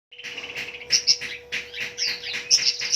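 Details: Fighter long-tailed shrike singing nonstop with a full repertoire, used as a lure for silent stressed shrikes. Rapid high chattering and squeaky notes with sharp whistled peaks, over a steady low electrical hum.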